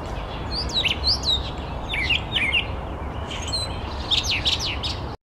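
A brown thrush gives quick bursts of sharp, slurred chirps and whistles, high and varied, in short clusters with brief pauses, over a steady low background rumble.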